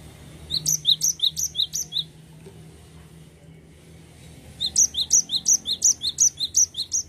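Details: Cinereous tit in lively continuous rolling song: bright two-note high phrases repeated about three times a second in two bursts, separated by a pause of over two seconds, with a faint low hum underneath.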